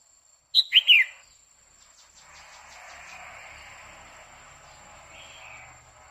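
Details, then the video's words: Female red-whiskered bulbul singing to excite a male: one quick phrase of three loud whistled notes, followed by light ticking and a steady low rumbling background. "Chào mào mái hót kích trống liên tục Chào Mào mái quých kiu mào mái hót"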